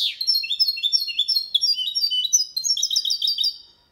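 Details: Goldfinch × canary hybrid sings a clean Malaga-style copy song, used to train male goldfinches, hybrids and chicks: a fast, continuous run of high, sweet chirps and short rolling trills, with no other sounds.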